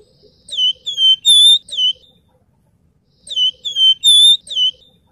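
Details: Javan fulvetta (wergan jawa) singing for a master track meant to teach murai and kacer: two identical phrases of four or five clear, bouncing whistles, with the phrases about two and a half seconds apart.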